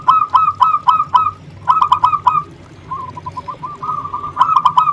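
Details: Local zebra dove singing vigorously in repeated bursts of loud, rapid, staccato coo notes, separated by a quieter stretch of soft, low trilled cooing.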